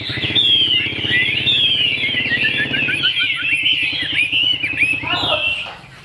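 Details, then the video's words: Fig-leaf-tailed Chinese hwamei in captivity sings a dense stream of high whistled slurs and quick trills, ending with a falling flourish, while a low rumbling motor hum runs underneath and fades near the end. "Họa mi đuôi lá vả bóng bộ đẹp hót hay"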